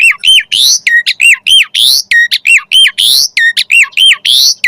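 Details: Asian pied starling 'gacor' lure song meant to set starlings singing: a looping phrase of bright whistled notes that rise then drop, alternating with harsh buzzy rasps, repeated briskly with no gaps.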